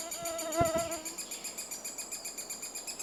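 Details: Nesting-season three-toed woodpecker in Estonia. A brief tonal wavering note with a soft thump opens the clip, then rapid, high, buzzy pulses repeat evenly about four times a second.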